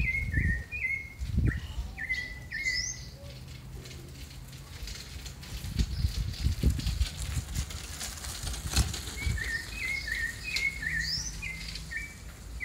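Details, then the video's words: Rufous-bellied thrush, a neighbour's bird said to sing a lot at night, gives short, clear whistled notes in quick phrases at the start and again near the end, over low thumping and handling noise. "Sabiá de laranjeira muito boa"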